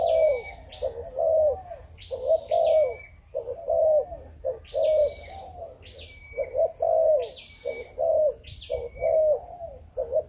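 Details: Malaysian-type spotted dove giving repeated 'chụp chụp ô' coos, grouped low hoots roughly once a second, while high descending chirps from other birds recur above.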